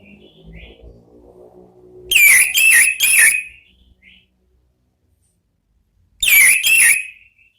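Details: Orange-headed thrush "ngeplong" song, a lure recording for kept birds: three loud rich warbled phrases in quick succession over faint low hum, a pause, then two more similar phrases.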